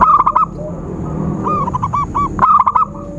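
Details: Zebra dove call played to lure birds for trapping: a quick bubbling coo run opens, then softer separate rounded notes, then another rapid stuttering burst.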